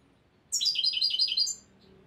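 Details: Young European goldfinch of the year, learning its song from a recording: a bright, tinkling run of about seven quick high notes lasting one second over a faint low room hum.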